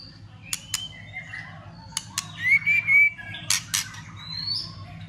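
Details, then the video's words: White-rumped shama singing a fighting song with tail-flicking to stimulate other birds: a few sharp clicks, then a thin rising and wavering whistle and short high whistled notes with pauses. "Chòe lửa kích lửa cực sung ,tạch liên tục đập đuôi kích chòe lửa lên lửa hót đấu.chòe lửa hót"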